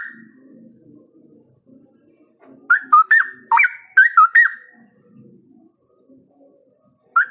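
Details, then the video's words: Cucak rowo, the straw-headed bulbul, singing vigorously. After a quiet start comes a two-second burst of six loud, fluty, warbled notes that bend up and down. A single whistled note follows after a pause, with soft low room noise between phrases. "Gacor!! Cucak Rowo Gacor ini Bikin Cepat Cucak Rowo Lainnya Ngeplong"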